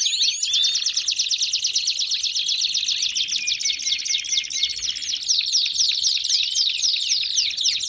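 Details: Belgian canaries sing a long rapid trill of crisp repeated notes, about four per second, with a softer low whistle beneath early on, then a louder, brighter rolling phrase after five seconds.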